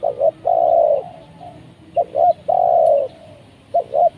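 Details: Spotted dove call from a session luring wild doves with a trained decoy, ending in a successful catch. Paired short coos lead into a long mellow coo, the pattern heard twice with a fainter note between.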